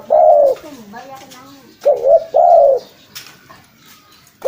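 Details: Spotted dove call recording meant for luring birds: one drawn-out coo, then a pause and a phrase of two short coos and a long mellow coo. Faint lower warbling sounds fill the gap.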